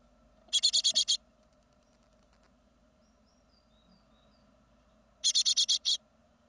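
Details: Second-brood great tit fledglings leaving the nest, 2016; two separate bursts of fast, high ticking notes, about six ticks each, roughly five seconds apart, with quiet faint chirps in between.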